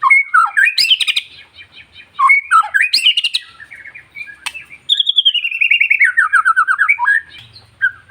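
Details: Long-tailed white-rumped shama singing to provoke and excite other shamas. Loud, varied whistled phrases with rising and falling notes, then a long descending run of rapid, buzzy trills.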